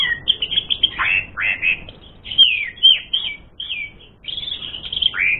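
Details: Asian pied starling giving a full, varied song as a fighting lure: jumbled whistles, squeaky chatters and short falling slurs run together, with a brief lull before another burst of warbling.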